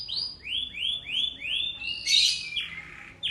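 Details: Canary from a tutor compilation for young canaries sings a series of five rising-falling whistled notes, about three each second. A loud harsh burst and a lower buzzy roll follow.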